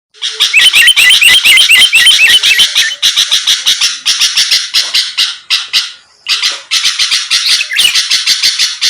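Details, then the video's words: Sooty-headed bulbul singing vigorously as a lure to draw rival birds: dense, harsh, buzzy chatter in rapid bursts, with looping whistled notes early on and a brief pause near six seconds. "pancingan Suara burung kutilang gacor⁉️lawan langsung merespon cepat"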